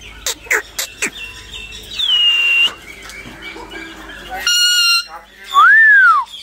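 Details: Talking Alexandrine parakeet (Sandana parrot) said to speak five words, kept near people. A few sharp clicks, then a drawn-out falling whistle, a harsh flat squawk, and finally a loud arched screech that rises and falls.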